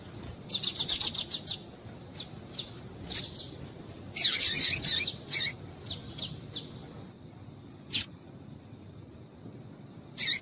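Female double-collared seedeater giving high, thin chips, first a quick run of about eight, then scattered single and paired notes over a faint background hum.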